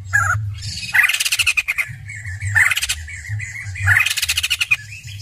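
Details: Caged white-crested laughingthrush in full loud song, bursts of harsh, rapidly pulsed chattering notes repeated in three bouts, with low rumbling noise beneath.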